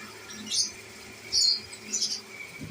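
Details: Pet lovebirds: three short, high, squeaky chirps spaced about half a second to a second apart over a quiet indoor background.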